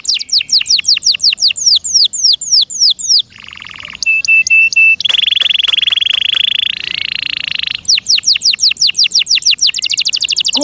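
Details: Domestic canary singing in captivity. Rapid downslurred whistled notes give way to buzzy rolling trills and a run of flat, steady metallic tones, then return to fast repeated slurs.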